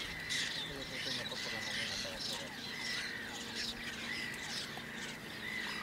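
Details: Whiskered terns in Toledo province, Spain, in June 2022, give harsh, rasping calls in quick overlapping bursts, several birds at once, over a steady high thin tone.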